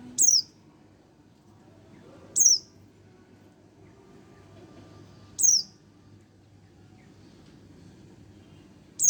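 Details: Sparse high-pitched downslurred calls of a young Oriental white-eye aged one month, roughly every two to three seconds, against low background noise.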